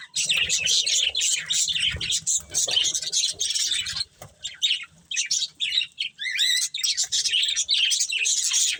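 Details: Breeding pair of budgerigars warbles in choppy phrases of raspy squeaks and clicks, pausing briefly several times, with a few clearer whistled chirps near the six-second mark.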